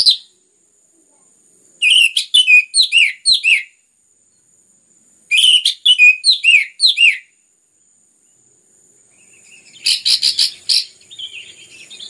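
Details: Orange-headed thrush in lively song used to get other birds singing: two phrases of rapid looping whistled notes about three seconds apart, then a buzzier broken burst with soft background hiss.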